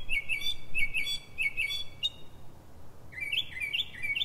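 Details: Northern mockingbird (Mimus polyglottos) in Silver Spring, Maryland, USA, singing at 03:44 before dawn: a series of paired chirps repeated about five times, a sharp high note, silence, then rising chirps repeated quickly, with soft low hum.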